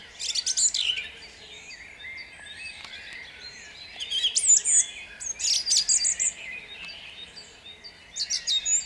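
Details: Song thrush in full dawn song at Jabłonna, 29 April 2021: vigorous, varied phrases of repeated sharp notes and ringing whistles, each burst lasting about a second with brief gaps between.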